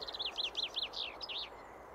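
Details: Common chaffinch, Sweden's second most common bird, at Limsjön lake in Leksand, sings a quick descending trill of about seven bright notes that speeds up and ends in a short flourish, over faint background hiss.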